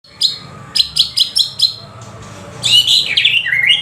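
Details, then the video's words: White-rumped shama that had been silent, starting to sing in reply to playback; a run of high sharp chirps, then a brief pause and a rich burst of tumbling whistled notes, with faint low background hum. "auto nyaut murai bisu langsung bunyi"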